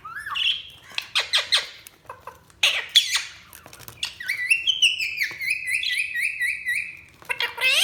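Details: Budgerigars chirping: a busy stream of varied high notes, short clicks and squeaky bursts, followed by a long warbled run of rapidly repeated rising-and-falling whistled notes, then more sharp chirps at the end.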